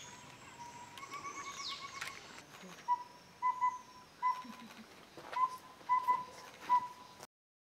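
Collared owlet giving mellow, evenly pitched whistled toots in its four-note 'toot, toot-toot, toot' pattern, twice over, with faint higher bird calls at the start.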